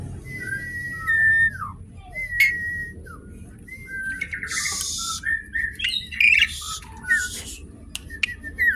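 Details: An Asian pied starling sings, as a lure and as learning material for other birds. Drawn-out level whistles and falling slurs mix with scattered harsh bursts and clicks in a quiet setting.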